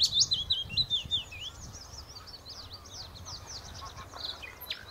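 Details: Common nightingale singing at the Horsmeertjes on Texel: quick, varied high warbled phrases with sharp rising and falling notes, loudest at the start and fading, over a soft low rumble.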